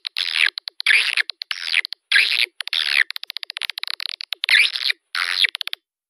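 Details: Swiftlet calling sound intended to attract swiftlets to a nesting building: loud rasping, buzzy chatters alternating with trains of fast, dry ticking clicks.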